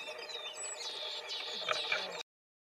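Willow tit giving thin, high chirps with a few harsher buzzy notes over a steady background hiss, cut off after about two seconds.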